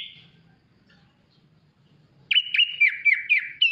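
Sooty-headed bulbul giving a run of bright, slurred whistled notes, about four per second, each dipping then rising, after a quiet opening with faint low hum.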